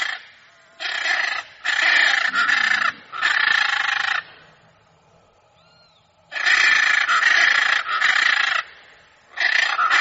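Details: Hyacinth macaw in nature giving harsh, raspy squawks in long drawn-out bursts, two groups of about four calls each separated by a quiet pause, with a short faint whistle between them.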